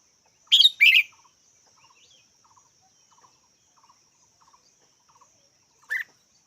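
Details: Red-whiskered bulbul gives a quick pair of bright, slightly buzzy notes, then silence except for faint regular ticking, before one more short call near the end.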